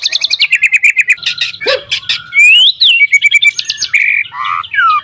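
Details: White-rumped shama, a caged bird, singing a song used to prompt other shamas to sing: quick chattering trills, harsh buzzy bursts, then long swooping whistles and varied mimic-like phrases.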